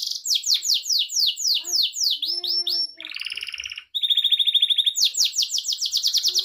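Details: Gloster canary, kept as a pet, delivering a varied song: repeated descending swept notes, a low harsh buzzy passage, a steady whistled trill, then more rapid swept notes.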